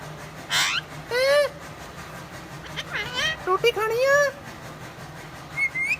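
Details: Parrot talking in Punjabi: a series of harmonic, speech-like phrases with rising and falling arcs, some bursts hoarse and breathy, separated by short pauses, then two brief higher rising notes at the end.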